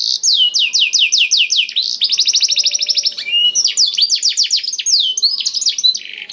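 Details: Black-throated canary song, used to stimulate canaries into song: a run of slow downslurred whistles, then a very fast fine trill, followed by a varied series of sweeping notes.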